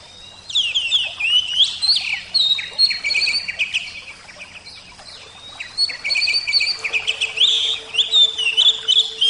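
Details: Oriental magpie-robin singing loud, high, varied phrases: bright whistles, sliding notes and rapid twittering bursts, broken by short pauses, over a faint steady low hum.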